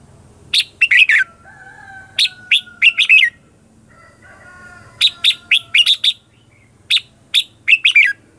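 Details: Red-whiskered bulbul lure bird giving competitive 'ché chéc' song used to call in wild birds; bursts of two to four sharp, bright chirped notes in clusters separated by pauses, with a faint steady whistle-like tone in between.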